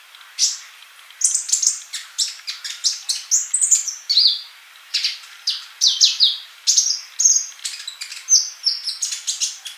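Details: Gacor sunbird (colibri) in a masteran recording: a rapid, almost continuous twittering of high, piercing chirps and short falling whistles, several notes per second for about ten seconds, nothing else heard.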